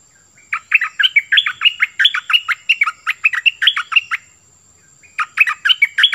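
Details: Cream-vented bulbul kept as a decoy bird, singing in bouncy chattering bursts of quick, slurred notes that drop in pitch, one long phrase of about four seconds, a short pause, then a fresh burst.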